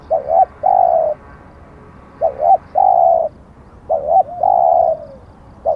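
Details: Spotted dove used as a decoy for attracting wild doves: a paired short coo followed by a long level hoot, repeated three times at roughly two-second intervals, the last ending in a gently falling slur.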